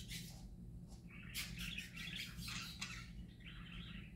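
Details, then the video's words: Parakeets sing happily in a busy, scratchy warble of overlapping chirps and trills, rising to a dense burst midway, then a buzzy phrase, over a faint low hum. "Parakeets Singing Happy Parakeets Parakeet Sounds"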